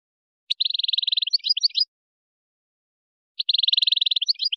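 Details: European goldfinch singing a Moroccan wiydani-style song meant for tutoring goldfinch chicks and hybrids: two high phrases, each opening with a fast, even run of repeated notes and closing in scratchy twittering, separated by silence.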